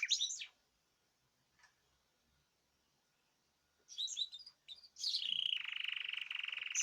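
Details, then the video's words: Caged birds singing together on 14 March 2026: a high chirp burst, several seconds of near silence, then renewed twittering that turns into a steady, rapid buzzy trill. "تغريد جماعي للطيور"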